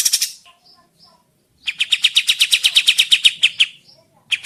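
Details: Sooty-headed bulbul lure meant to get other birds singing back: a loud harsh burst, faint short notes, then an evenly spaced run of about fifteen sharp buzzy chips, then a final brief burst.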